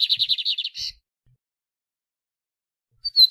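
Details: {'caption': 'Lined seedeater (bigode) song played to stimulate a pet bird: a fast run of short buzzy notes ending in a harsher burst, a two-second pause, then the next phrase begins with a sharp whistle.'}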